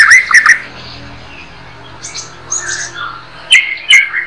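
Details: Murai batu, the white-rumped shama, in 'harian receh' daily song for mastering songbirds. Sharp loud chips open the phrase, a softer warbled middle follows, then two emphatic whistled bursts with crisp high clicks.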